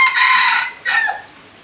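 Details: Captive yellow hybrid red junglefowl crowing: a brief, hoarse crow cut short, one loud harsh burst followed by a shorter falling syllable, then quiet.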